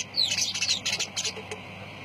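Lovebirds chatter in a burst of shrill, scratchy chirps and squeaks, high-pitched and rapid for about a second and a half, with faint low hum behind.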